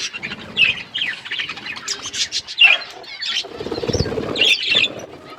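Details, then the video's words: While eating, budgies give repeated short, sharp chirps and warbled phrases in uneven bursts, with soft fluttering and rustling noises between them. "Beautiful budgies parakeet eating food birds chirping sounds"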